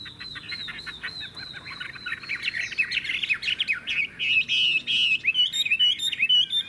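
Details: Chinese hwamei, a caged bird offered for sale, singing loudly: a run of repeated high whistled notes that builds into fast, varied, warbling phrases with sharp trills, loud and clear throughout.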